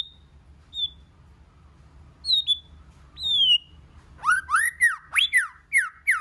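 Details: White-rumped shama song used to stimulate other shamas into singing, many-voiced: clear descending whistles, then a rapid burst of rising and falling buzzy, twangy notes with high overtones, over a faint low hum.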